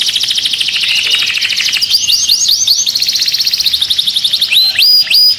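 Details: Canary song used to stimulate other birds and for mating: rapid trills of repeated high notes, then loud swooping notes that rise and fall, repeated in quick succession near the end.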